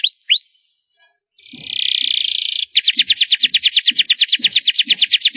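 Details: Canary song at high volume: two sweeping notes, a pause, a smooth buzzy trill, then a steady run of rapidly repeated bright notes, with faint low knocks underneath.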